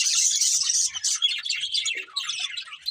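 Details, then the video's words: Budgies chirping in a busy, unbroken stream of shrill twitters and rapid squeaky warbles, the bright chatter thinning slightly after the first second before picking up again. "Beautiful Budgies Chirping Sounds"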